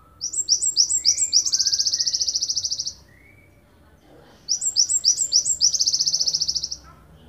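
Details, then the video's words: Java sparrow of the wingko kind, endemic to Ponorogo, singing its long shot for songbird training: two phrases of stuttering upslurred chips that flow into a sustained buzzy trill, with faint whistles in between. "Gelatik wingko tembakan panjang"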